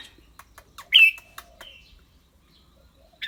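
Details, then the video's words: Red-whiskered bulbul with a clear voice, mixing song and rapid 'rik' calls. A short, bright whistled phrase comes near one second among scattered clicks and taps, then one more brief note at the very end. "นกกรงหัวจุก เจ้าขวัญโชค เสียงใส ๆ ทั้งร้องทั้งริกๆสะใจๆครับ"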